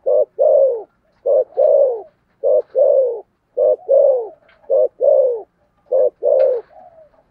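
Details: Hurried thổ sấm style cooing from a spotted dove: six rapid, regular phrases, each a short low note leading into a loud falling coo, repeated about every second without pause.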